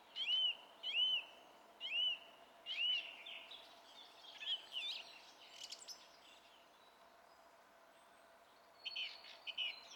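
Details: Song thrush singing on 27 April 2016, an arched, fluty note repeated four times about once every second, followed by scratchy, varied phrases and a quieter chattering close.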